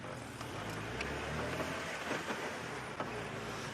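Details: Low idling engine rumble from a vehicle outdoors, with faint clicks and rustles; no animal calls.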